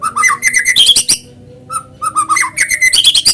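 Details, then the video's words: A white-rumped shama sings naturally in a lure recording for prompting other shamas to join in. Quick series of harsh chirping notes mixed with whistles, a brief gap and a single low whistle, then another rapid chattering burst. "PANCINGAN BURUNG MURAI GACOR SUARA ALAMI BIKIN MURAI BATU IKUT BUNYI"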